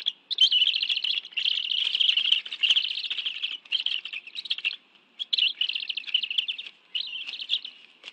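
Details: Bald eagles at a nest in the National Arboretum, Washington, D.C., on 11 June 2017 at 2:23 PM, two adults having brought fish for a meal with two young; high, squeaky chittering runs in bursts of one to two seconds, almost continuous.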